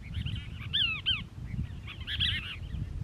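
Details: Cassin's Kingbird perched on a castor bean shrub at Crystal Cove State Park, Moro Canyon, California, 19 December 2021, one of a family group, giving harsh arched notes, two loud swooping calls mid-clip, over steady low background rumble.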